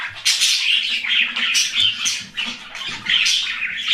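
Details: Colony of budgerigars chatters continuously, a dense mix of high warbles, chirps and scratchy squawks from many birds.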